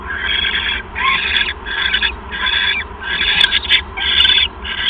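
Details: Owls calling to each other while bonding during a visit, recorded in January: a series of harsh, hissy, raspy bursts about half a second long, repeated in quick succession with short gaps.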